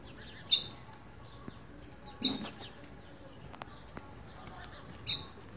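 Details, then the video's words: Green-winged saltator piping in fear: three brief, shrill, high notes separated by nearly two-second pauses, with soft ticking sounds between them. "Trinca ferro boiadeiro chamando piando de medo"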